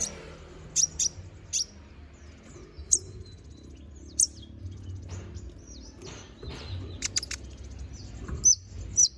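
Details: Konin bird singing in full, a recording meant as a training song for magpie-robins. High, thin chirps come in scattered pairs and single notes with gaps between them, over soft background hiss.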